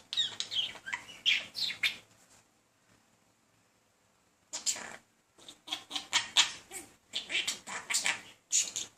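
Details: Captive male budgie persistently courting a female indoors; bursts of dense scratchy warbling and squeaky chirps, a quiet pause of about two seconds, then more busy chattering.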